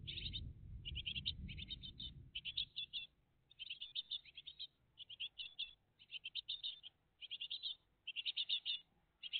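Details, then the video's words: Great tit family live at the nest, morning of 20 June 2023: steady runs of high, quick chirps in short bursts about every half second, with a low rumble during the first few seconds. "GREAT TIT FAMILY LIVE"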